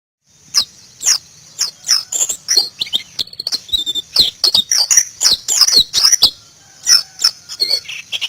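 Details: White-eye (pleci) singing in wild-style 'ngalas' manner, Indonesia: rapid high-pitched chirps and twittering notes in quick bursts, bright thin trills repeated through, with brief pauses between phrases.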